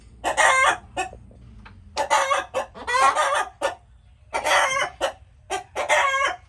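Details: Chickens heard making noises: loud, harsh, wavering squawks about half a second long alternate with short single clucks, in several groups over the recording.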